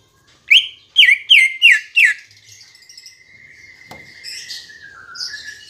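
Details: Green leafbird (cucak ijo) singing as a lure to prompt kept birds to sing: five loud, sharp whistled notes, each dropping in pitch, in quick succession, then a long, thin sustained whistle fading into soft twittering.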